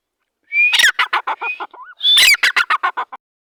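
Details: Grey francolin, called dhakani teetar, giving its 'masti wali boli' lively call: two loud bursts, each starting with a harsh, rising note and then a quick run of six or seven grating, pulsed notes, with a soft whistled slur between the bursts.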